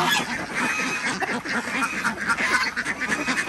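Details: Morning egg collection among Desi ducks on an Andhra Pradesh village farm, with loud, rapid nasal quacks from several birds running together.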